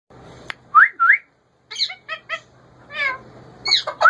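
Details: A kept male ringneck parakeet gives short upslurred whistles and clipped, harmonic talking-like notes in uneven bursts, with brief pauses and a faint steady hum behind.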